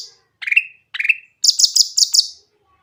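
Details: Persistent, clear-voiced grey-cheeked bulbul song meant to coax hesitant birds into singing. Two rising slurred notes are followed by a rapid run of five sharp, high chipping notes.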